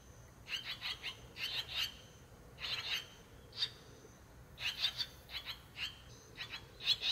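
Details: A brood of six swallow chicks, 18 days old, in a nest at a countryside house doorway. Clusters of bright, raspy chirps repeat irregularly every second or so, with a faint constant high hiss.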